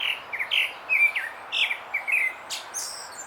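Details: Grey-backed thrush song: a lively run of clear fluted whistles, some slurred downward and some rising, delivered in quick succession over about three seconds against a quiet background with faint higher twitters.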